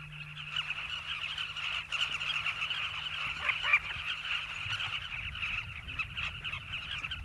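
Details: Southern carmine bee-eaters nesting in river banks in Zambia's South Luangwa Valley: a busy, continuous chorus of raspy, overlapping calls from a large colony, with a faint low rumble.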